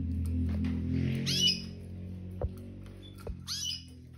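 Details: Red factor canaries in a freshly cleaned cage with new seed, two adult pairs and their spring 2023 young, moult almost complete; short bright warbled chirp bursts at about 1.3 and 3.5 seconds over a low steady hum and clicks.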